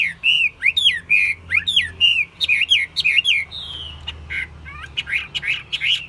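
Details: A caged hwamei, described as a keen and fine-voiced singer, delivers a lively stream of whistled notes. The notes are sweeping and swooping, several of them repeated in pairs, with a long level whistle near the end and a low background hum.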